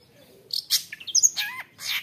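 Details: Long-tailed shrike giving a short burst of song, a harsh note, bright high whistles and a dropping slurred tone, meant to anger rival shrikes.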